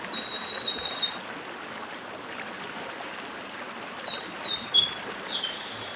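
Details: Chestnut-bellied seed finch, northeastern form, ending one fast trill of high repeated notes, then after a quiet gap launching a new phrase of sharp sliding high whistles, stream water flowing steadily behind.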